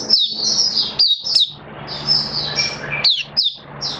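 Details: Oriental white-eye in a cage, 27 October 2022. Piercing high whistled slurs and chips in uneven bursts, one note dipping lower, over a steady low hum and room noise.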